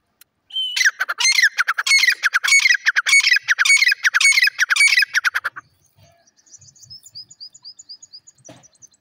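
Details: Grey francolin calling loudly: a rapid series of harsh, ringing squawked notes, about two per second, for five seconds, then stopping; faint high, thin chirps follow in a quick even string near the end.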